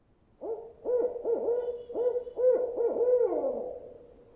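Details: A Barred Owl gives its 'who cooks for you' hoot-owl call, a rhythmic run of about eight deep, resonant hoots ending in a drawn-out, falling 'all'; this series, used by day and night, is followed by silence while the caller listens for other barred owls.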